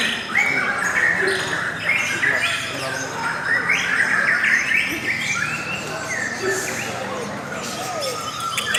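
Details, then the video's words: Lovebirds chatter in a steady flow of shrill chirps and short squeaks, several notes a second, the song called melodious and pretty; light background talk. "LOVE BIRDS suara yang indah dan Panjang"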